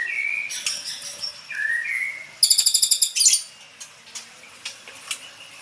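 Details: Young caged white-rumped shama newly moved out of the breeding cage: two or three clear slurred whistles, then a fast buzzing rattle of about eight notes and scattered faint ticks.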